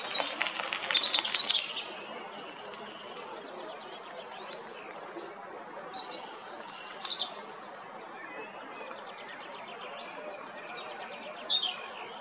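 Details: European robin at Jarun in Zagreb, Croatia, recorded 13 April 2022, delivering three short bursts of high, rapid warbling twitters separated by pauses of several seconds, with faint background hiss.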